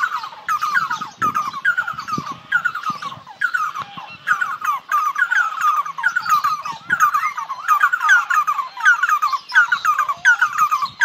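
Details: Red-and-yellow barbets (Trachyphonus erythrocephalus) singing in a parrot shop: a loud, rhythmic chorus of harsh, bubbling notes in rapid repeated phrases, keeping a steady jerky beat throughout.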